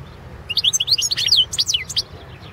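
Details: Balkan goldfinch, Carduelis carduelis balcanica, recorded for the 2017 World Championship in Goldfinch Song, giving one quick phrase of tinkling, high twittered notes with sharp down-slurred whistles, lasting about one and a half seconds.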